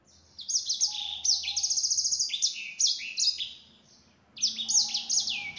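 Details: Yellow-fronted canary singing as a lure for others to reply: lively high phrases with a quick trilled stretch near the start, a brief quiet gap after four seconds, then a fresh burst of descending notes.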